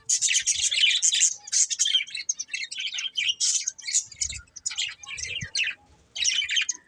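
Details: Budgies chattering in bright, scratchy chirps and warbles that come in uneven bursts with short silent gaps; quiet background.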